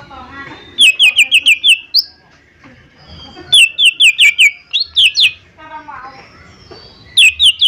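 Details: Cucak ijo mini, a lesser green leafbird, sings loudly in repeated bursts of five or six clear, falling whistles. Rising squeaky notes and soft twittering sit between the bursts.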